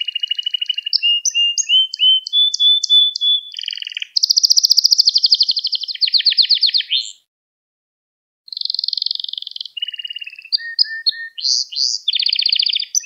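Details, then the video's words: Domestic canary song, recorded to teach young canaries: long unbroken stretches of fast rolls, buzzy trills and whistled slides, a brief pause, then more rolling and sweeping phrases. "Müthiş Ders Gibi Kanarya Sesi Ve Ötüşü"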